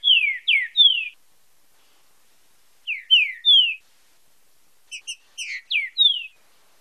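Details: Fibra com marcheado song from a green-winged saltator, for training and stimulating singing: repeated triplets of bright descending whistles, the last phrase opened by quick clipped chips.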